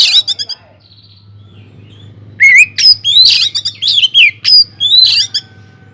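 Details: Oriental magpie-robin in full song inside an aviary, a lure for other birds: opening rapid chips, a soft pause, then a lively sequence of sweet rising and falling whistles and chattering notes, with a steady background hum.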